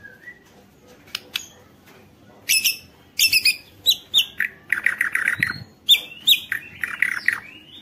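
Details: Lively white-rumped shama song meant to provoke other shamas to sing, opening with a soft whistle, then a rapid run of varied chirps, rasps and clear whistled phrases pouring out almost continuously.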